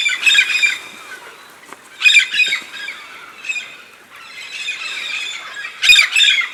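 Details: A large flock of red-spectacled parrots (Amazona pretrei), migrating to the Santa Catarina highlands of southern Brazil to eat araucaria pine nuts, gives harsh, grating squawks in overlapping bursts every second or two over steady flock chatter.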